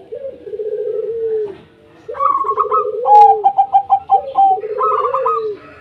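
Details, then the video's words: Local zebra doves singing, used as a lure for lazy doves: low rolling coos that fall at the end, then a series of clear, evenly spaced clipped notes and fast staccato runs overlapping them. "Perkutut Lokal Gacor 100% JITU Ajak Perkutut Malas Bunyi Dijamin NYAUT LANGSUNG RAMAI"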